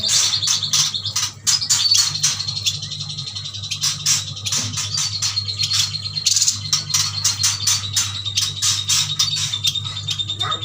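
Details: Yuhinas from Kalimantan, a group of caged birds bought together, give dense, high-pitched chattering trills that run almost without pause, over steady sharp rattling clicks and a low electrical hum.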